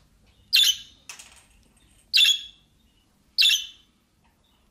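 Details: A pet budgerigar that does not talk gives short, harsh, high chirps, repeated roughly every one to one and a half seconds.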